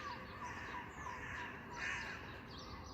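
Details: On a clear Sunday morning, with gulls and tits also around, a crow gives a hoarse, harsh caw near the end over steady outdoor background noise, with faint thin chirps from small birds.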